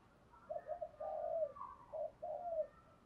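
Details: Soft, fairly distant spotted dove coos in 'thúc gù' style, a run of mellow hooting notes including one long sustained coo, over a steady low background hiss.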